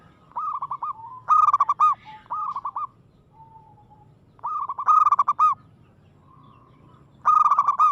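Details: Local zebra dove, a perkutut in full aggressive song, delivering loud rolling coo phrases of quick bubbling notes, several bursts in close succession with short pauses and a soft lower note between them.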